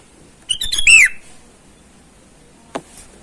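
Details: Sooty-headed bulbul in the wild calling out rivals, used as a lure for wild birds: one lively phrase of rapid chirped notes closing with a clear descending whistle, followed by quiet and a single sharp click.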